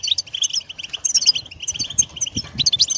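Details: European goldfinch in batbata style, played so a pet bird will sing and become more active: fast, dense, bright twittering chirps and short trills running without pause through three seconds, with a faint low rumble beneath.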